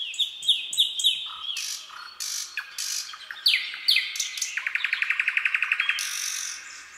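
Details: Common nightingale singing at night in a forest: varied phrases of clear whistled notes, short buzzy bursts and sharp upslurs, ending in a rapid rattling series of repeated notes, with faint fainter notes between phrases.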